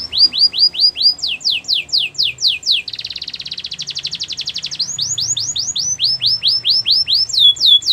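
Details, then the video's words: Singing canary in a training recording, delivering rows of steep descending whistles that speed up, a fast buzzing roll in the middle, then more repeated slurred whistled sweeps. "Melodies canary bird song"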